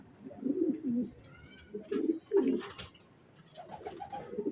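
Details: Racing pigeon coos come in separate throaty phrases, with a faint whistle-like tone and light clicks in between.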